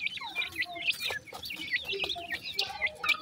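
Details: Pheasant chicks pleased with their new food utter dense, continuous high peeps, rising and falling notes overlapping from several birds with little pause.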